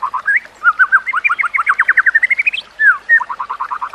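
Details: White-rumped shama song for training other shamas: a fast string of clear, rising whistled notes on a low, even pitch, a brief pause, one swooping note, then a quick repeated run.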